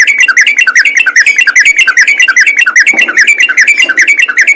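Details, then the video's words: Yellow-vented bulbul in the lively, rapid ropel gacor singing style, pouring out fast repeated warbled phrases, loud and nearly nonstop, over a faint low background hum. "BURUNG TRUCUKAN ROPEL GACOR"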